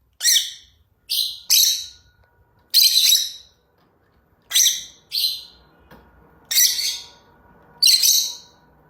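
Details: Lovebird calling with rough, descending, high screechy notes, singly or in pairs, about once every second or two, over a faint steady hum.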